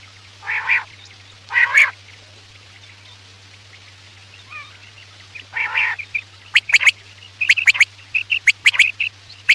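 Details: Quail calls used to attract birds for hunting at night: a few drawn-out harsh rasping calls, then a rapid run of sharp clicking notes near the end, over a low hum.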